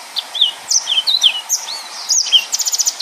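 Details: Tutor recording of a yellow-fronted canary in full 'nembak' song: high slurred whistles and twittered phrases, ending in a fast, evenly spaced series of short chips.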